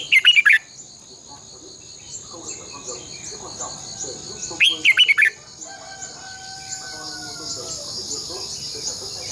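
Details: Red-whiskered bulbul, a decoy recording used to train caged birds, singing in the long twisted double-voice style: two loud, rapid warbled bursts about four seconds apart over a steady high insect drone and faint distant birds.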